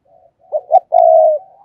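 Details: Decoy spotted dove, a caged ornamental bird, gives a calling coo: two quick rough notes lead into a sustained, slightly wavering low croon that trails off softly, with nothing else audible.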